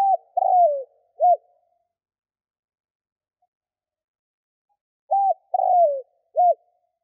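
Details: Spotted dove cooing used to lure wild doves: a low phrase of a short coo, a longer drawn-out falling coo and a final clipped coo, repeated once after a pause of about four seconds, with nothing else heard.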